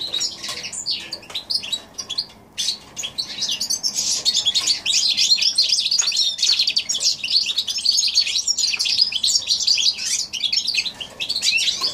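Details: Goldfinch x canary hybrid recorded in January 2016, singing a long, dense run of rapid, twittering and tinkling high notes with buzzy trills, nearly continuous for twelve seconds after a brief hesitant start.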